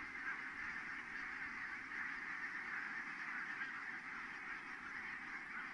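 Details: Large flock of geese landing at Kulgur, Estonia, on 4 May 2018 at 17:58; dense, continuous chorus of overlapping honking calls blending into a steady clamour throughout, with no pauses or other distinct sounds.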